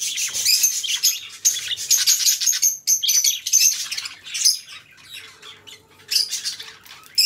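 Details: Two companion budgerigars singing a long, busy warble of squeaky, buzzy notes and clicks, loud at first, softening midway, then rising again in short chirpy bursts.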